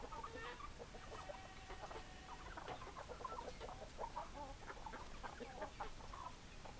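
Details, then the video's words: Several hens clucking, a busy run of short harmonic clucks and brief nasal notes tumbling over one another without pause, with a low rumbling background. "Chicken Sounds Noises Hens Clucking Roosters Crowing"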